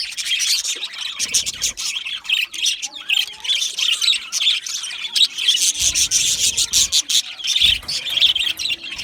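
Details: Loud, steady chirping chatter of many budgies: rapid dry ticking twitters mixed with squeaky warbles, a constant grainy wall of high bird sound with faint low knocks.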